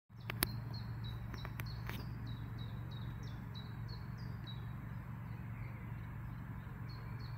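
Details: Bird singing in the UMCS Botanical Garden in Lublin, Poland; a high, short, slightly falling note repeated steadily about twice a second, over a constant low hum and a few sharp clicks early on.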